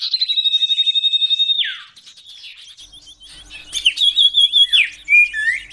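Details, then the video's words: Common iora song in the style called tembakan sirtu versi kenari, used as a training recording for songbirds: a long buzzy rattling trill held high and level, dropping at the end, followed by quick varied chirps and a short whistle. "tembakan burung sirtu versi kenari || masteran burung cipoh"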